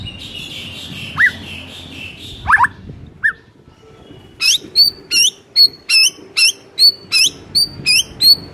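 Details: Morning song of a white-rumped shama, described as 'gacor ngeplong': a few scattered slurred notes, then a quick regular series of about eleven high notes that flick downward before settling, roughly two each second.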